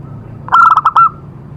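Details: A single short phrase from a zebra dove, played to set other doves singing: five or six fast, sharp coo notes run together, then fading into a faint hum.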